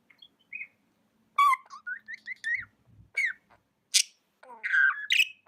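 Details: Budgie chirping with soft rising whistled notes stepping upward, then a harsher chattering note, a high sharp squeak and a closing buzzy warble; a low hum appears briefly.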